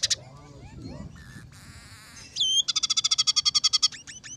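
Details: Scaly-breasted munia in active song mixed with tree sparrow, red siskin and canary elements. A buzzy trill and a rasping note lead into a rapid, evenly spaced series of about twenty bright chattering notes.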